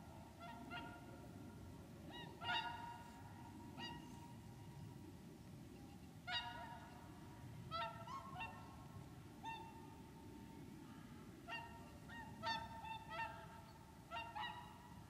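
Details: Wintering whooper swans on the Lac du Der reserve in Champagne, France, recorded 30 January 2014. A flock trades bugling, nasal trumpet calls, often doubled or tripled, roughly fifteen across the stretch, above a constant low background rumble.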